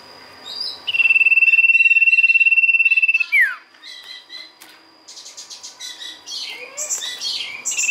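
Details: Sirtu song used as a lure: a long, steady high whistle held for about two seconds with a fine trill, then a sharp downward slur, followed by scattered rapid high chirps and buzzy notes.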